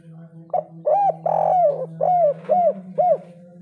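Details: A Zebra dove with a loud, very active three-part coo gives a rapid run of six soft, rounded coos, each rising then falling, about two per second, over a low steady hum.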